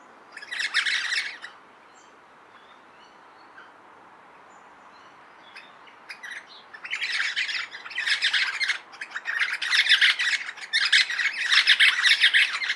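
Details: Crimson (Adelaide) Rosellas, four birds in a eucalypt near a possible nesting cavity at Littlehampton, South Australia, 23 July 2021, chattering while swinging tails in display: harsh scratchy chatter bursts, one then quiet, then near-continuous chatter.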